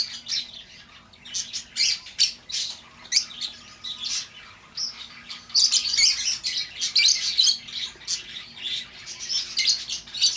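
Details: Lovebird calls for recalling an escaped bird: scattered sharp chirps at first, then from about five and a half seconds a continuous, dense run of shrill, buzzy squawks.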